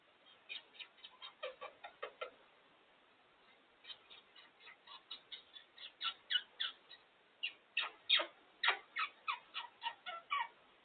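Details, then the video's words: Female African grey parrot kept as a pet, entertaining herself on top of her cage: series of short clicking, squeaky chirps at varying pitch, delivered in loose bursts of several notes with brief pauses, growing louder toward the end. "Ebony the African grey parrot entertaining herself on top of the cage"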